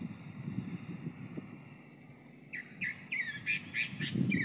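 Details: A Chalk-browed mockingbird sings after a quiet start, giving a quick run of short, sharp notes that jump up and down, repeated several times a second, over a low rumbling background.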